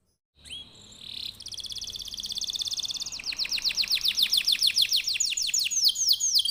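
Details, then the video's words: Canary lure song meant to set other canaries singing: a short buzzy trill, then a long run of rapid repeated notes that become sweeping downslurred whistles, quickening and growing louder. "Kenari gacor, Apapun jenis jenis anda pasti akan terpancing bunyi dengan pancingan kenari ini"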